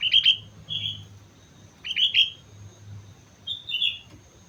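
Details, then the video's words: Sooty-headed bulbul singing lively on Mount Slamet: short bubbly whistled phrases of two to three notes, given in three bursts about 1.5 seconds apart, with a faint low hum and a thin steady high tone behind. "suara burung kutilang gacor gunung slamet"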